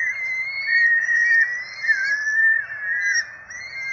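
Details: Peregrine falcon quadruplets beg at their nest in Rome during a feeding on 12 April 2024. Continuous, overlapping, high, squealing whistles slide up and down with barely a pause.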